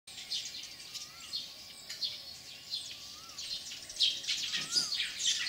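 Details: Eurasian tree sparrows (Passer montanus) at a nest on a building wall in Kinta Nature Park, Perak, Malaysia, on the morning of 25 March 2015, give bright, scratchy overlapping chirps about two a second over a faint wavering whistle and hiss.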